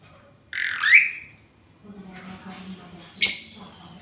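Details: Singing male Asian pied starling, a training song packed with fills: one harsh rising squeal, a quiet gap with a low murmur, then a sharp high chirp sliding downward.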